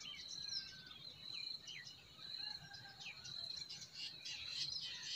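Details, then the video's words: Spring chorus of forest birds, soft and distant: scattered high chirps and quick falling whistles overlap across the stretch, with a few lower drawn-out whistles, over a steady thin high-pitched tone that runs throughout. "Relaxing Singing of Forest Birds"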